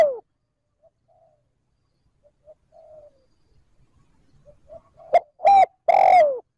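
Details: Trơn ròng cooing by a spotted dove serving as a lure for wild doves. Mostly quiet with faint soft notes, ending in one loud phrase of two short hoots and a long descending coo.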